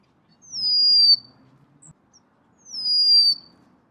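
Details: Two long, sweet whistles from a golden-crowned sparrow, each sliding down from a high start and then holding steady. About two seconds of near silence separates them, with only a faint low hum.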